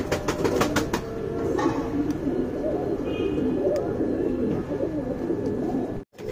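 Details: Young tournament pigeons kept by a fancier, a dense chorus of low, rolling coos overlapping throughout, with soft indoor clatter and a brief dropout near the end.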